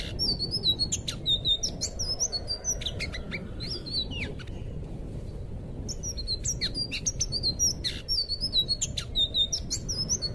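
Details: Anis biru, blue thrush, singing for captive bird training: two long bursts of rapid high whistles, clipped downward slurs and dry ticks, with a short lull midway and constant low background hiss.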